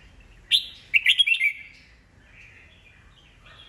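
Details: Old wild-caught red-whiskered bulbul in a cage, singing to spur rival birds to sing back; one sharp note followed by a fast rippling whistled phrase, then a soft trailing warble.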